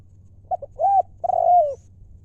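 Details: Decoy spotted dove of wild stock calling in the 'lio' style: two quick short coos, a rounded arched hoot, then a long sustained coo tailing downward, against a low continuous hum.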